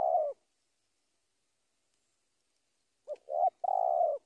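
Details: Spotted dove calling a rival: the tail of one burred coo, a long silence, then a full phrase of short hoots ending in a long vibrating coo.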